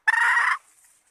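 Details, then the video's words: A single harsh, raspy half-second squawk from a female red junglefowl, a sound used by hunters as a lure to call males, fading into near silence afterwards. "suara ayam hutan betina merah asli/The sound of the original red female jungle fowl"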